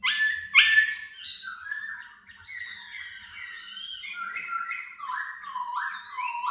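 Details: Laughingthrush, a decoy bird released indoors for the first time, singing a rich, continuous run of clear whistled phrases that slide up and down, with quick trills and varied notes in fast succession and no other sounds.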